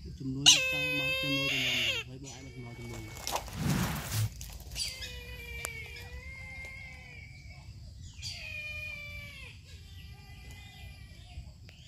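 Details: Brahminy kite calling with several harmonic, mewing cries. The first is loud and sustained over about two seconds, and softer wavering cries follow later. A brief burst of noise falls between them.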